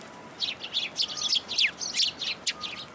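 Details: Sparrows gathering at a shrine feeding platform, Tenmangu, 14 February 2023, waiting to be fed; a dense, busy chatter of overlapping high chirps and short twittering notes, continuous for three seconds.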